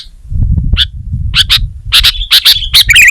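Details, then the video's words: Kutilang, or sooty-headed bulbul, singing: scattered chirps build into closer, louder notes and a brief trilled warble at the end, over low rumbling noise. "Suara Burung Kutilang Gacor"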